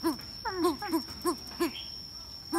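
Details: Greater coucal calling while attracted to a female; deep, hollow hooting notes with a rise-and-fall shape, repeated irregularly about every third of a second, with a steady high electronic whine throughout.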